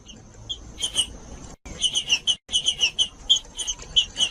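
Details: Green-winged saltator singing in the "judas" style, played to warm up and stimulate other saltators to sing: short, bright, high notes in quick runs with brief gaps, over a steady high thin tone.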